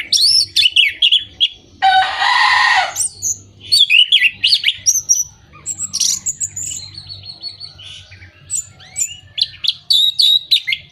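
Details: Orange-headed thrush song used as a lure to stimulate moulting, non-singing birds or birds out of breeding condition. Fast, varied high chirps, whistles and rattling trills, with a brief harsh burst of noise near two seconds.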